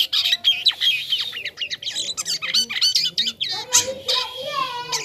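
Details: Jalak kapas starling, its song likened to a toy. Rapid, scratchy chatter mixes with squawks and sliding whistles, and a wavering warble closes the phrase.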